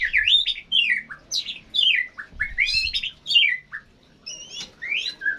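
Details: Actively singing bird delivering loud, scratchy chirps and squeaky downslurred phrases in quick bursts, separated by brief pauses, with faint low room noise beneath.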